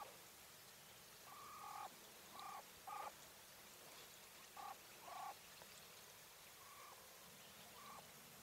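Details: English White Coturnix quail hen producing short buzzy nasal notes in irregular pairs and singles, some louder, some soft and brief, amid faint constant background noise.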